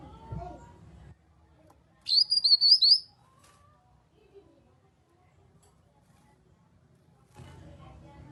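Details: Single sharp warbled whistle phrase of a grey-cheeked bulbul, used as a lure so other kinoi respond, lasting about a second, with faint low hum before and after.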